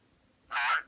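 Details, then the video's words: Pet parrot playing peek-a-boo, giving a short raspy, noisy burst like a fart noise, about a third of a second long with a faint tonal streak inside; quiet room, brief speech nearby. "Parrot playing peek a book and making fart noises"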